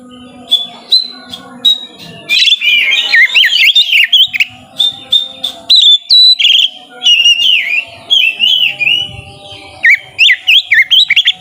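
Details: Singing white-rumped shama, played to provoke lazy birds into song: short spaced whistles, then a dense stretch of warbled, swooping notes and crisp clicks continuing to the end.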